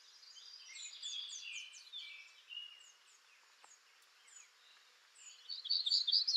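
A Black-throated Gray Warbler sings a high, buzzy run of quick wheezy notes, then a brighter burst of sharp notes a few seconds later over faint background hiss.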